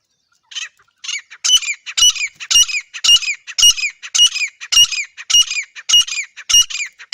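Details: Loud, evenly paced calling from a female grey francolin: ringing, slightly squawky notes repeated about twice a second for several seconds, each note layered and rising. No background noise.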